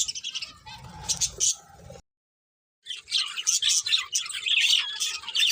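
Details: Budgerigars chirping in a high, scratchy chatter with a low hum underneath, broken by a short silent gap before the dense chirping resumes.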